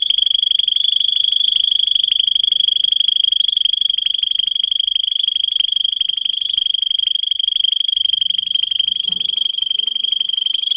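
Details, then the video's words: Canary song for teaching other canaries: a steady, very fast high trill held on one pitch for over ten seconds, with faint low rustles near the end. "Kanarya Sesi, Kanarya Ötüşü eğitimi"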